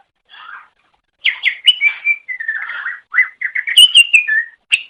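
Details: Cucak ijo (greater green leafbird) masteran song for training songbirds. A soft note, then a loud continuous ramble of clear whistles, slurs and trills, with several piercing high squeaks.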